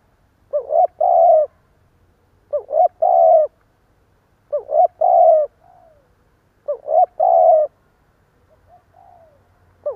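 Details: A decoy spotted dove repeats its broken coo to draw in wild doves. Four phrases about two seconds apart, each a hooked note and clipped coo into a long coo, some with a soft descending tail note. A faint low hum runs beneath.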